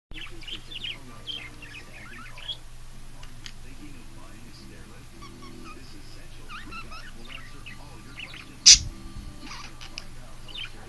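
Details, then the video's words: A talkative pet bird chirping happily gives quick, high twittering chirps and short sharp notes in scattered bursts, with a loud click near the end over a steady low hum. "Tweety chirping happily"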